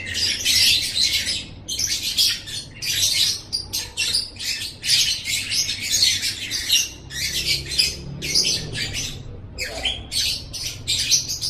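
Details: Lovebird song for Indonesian masteran bird training, a run of harsh, squeaky chattering phrases, each a second or so long, repeating with brief pauses.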